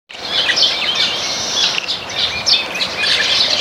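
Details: Flock of Baya weavers feeding on grains in a backyard, giving a dense, continuous chorus of high, thin chirps and twitters that overlap without pause, with brief louder bursts near the middle and end.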